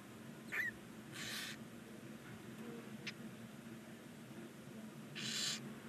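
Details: Barn owl nestlings, nine of them on day 19, in a nest box on a chimney in Ságvár, Hungary: two distinct hoarse hissing bursts about four seconds apart, with a faint click and low steady hum.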